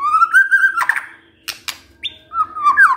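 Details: White-rumped shama, locally murai batu, in kretekan meant to stir up emotion: a sustained mid-pitched whistle, sharp clicking cracks, one short high upslurred note, then a wavering whistle, over a faint low hum.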